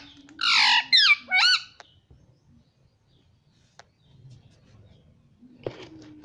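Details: Pet rose-ringed parakeet indoors saying words: three loud, harsh, rising speech-like syllables early on, then near silence with a faint click and low background hum.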